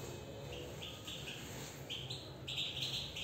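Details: European goldfinch song in harmony: short bright chirps, several rising, in quick bursts with brief pauses, getting louder toward the end over a low steady hum.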